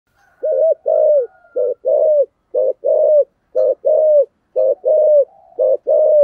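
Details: Spotted dove cooing, played to lure wild doves: a loud series of short hollow coos, paired phrases repeated about once a second, clear with no background noise.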